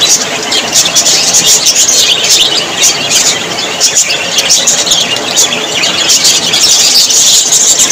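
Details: Parrots calling together in a dense, unbroken chorus of shrill, squeaky chirps and whistles, many voices overlapping with no pause and constant loudness throughout.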